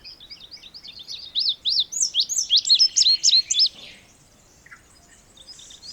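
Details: An Indigo bunting song of about two and a half seconds: high, clear notes delivered mostly in pairs, slurred up and down, growing louder mid-phrase and then stopping abruptly; a faint brief note follows in near silence.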